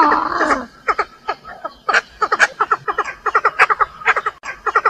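A female Chinese francolin gives harsh, nasal clucking notes in quick pairs and short bursts, several each second. It uses this call to attract males.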